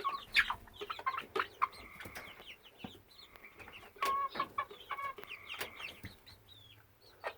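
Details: Ongoing sound from a 10 to 12 week old hen, started May 22, 2017 and never stopping, though she seems fine otherwise: short held tones break in repeatedly amid quick chirps and sharp knocks.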